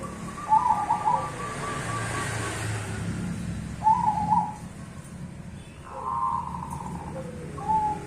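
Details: Zebra doves of the cemani and Bangkok strains singing in duet: short rolling cooed phrases repeated every few seconds over a steady low hum and background noise.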